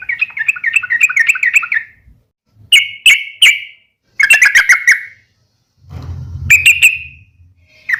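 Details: Fighting call of a yellow-vented bulbul, meant to stir other bulbuls to reply: fast rolling chatter, then short emphatic burry phrases, with a brief low rumbling noise in between.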